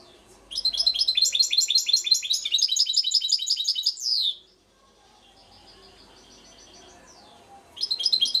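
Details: Goldfinch (trnan) from Šuto Orizari delivering a lively run of tinkling, rapidly repeated notes ending in a downward slur, then a faint soft twitter before singing resumes.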